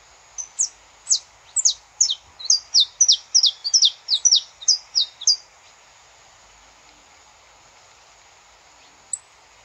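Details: Saffron finch recorded live in nature: a rapid run of about thirteen high, sharp, downslurred chirps over roughly five seconds, then quiet with one last faint note.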